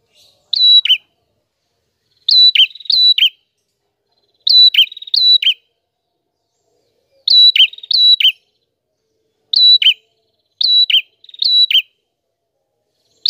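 A prinia sings bright, high, clipped phrases of two to four quick notes with sharp downward flicks, bursts coming every one to two seconds against silence.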